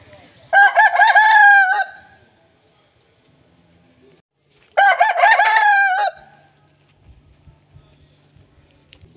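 Two loud Aseel rooster crows, each about a second long, harsh and harmonic with a drawn-out ending, separated by a few seconds of near silence.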